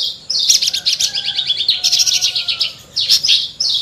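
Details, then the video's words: Horsfield's bush lark in energetic song: a dense rattling trill of high notes with faint lower drawn-out whistles beneath, then a brief pause and a final loud burst. "Burung branjangan gacor lagu mewah"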